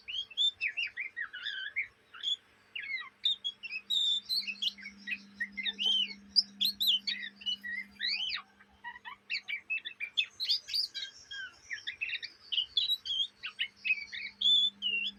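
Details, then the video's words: Ngriwik chattering of a young Indonesian Oriental magpie-robin that sings day and night: long unbroken run of varied squeaky whistles, buzzy trills and sharp upslurred notes, fast and restless, with a steady low hum swelling midway and near the end. "kacer bahan ngriwik siang malam"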